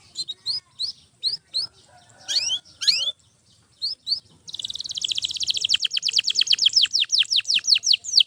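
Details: Domestic canary singing, played for training other canaries: short paired high chirps, a few rising sweeps, then a long rapid trill of downward-slurred notes speeding up and holding steady to the end.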